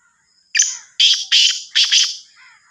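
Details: Sindhi kala teetar (Black francolin, Sahiwal teetar) calling: a lead-in rasp followed by two pairs of loud, coarse, grating notes delivered rapidly within about one and a half seconds, against a faint high whistle.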